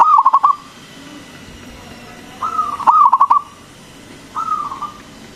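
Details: Big-voiced local zebra dove song meant to lure and excite other doves. Two full phrases of quick rolling, pulsed coos, each introduced by a level coo, and a further opening note at the end.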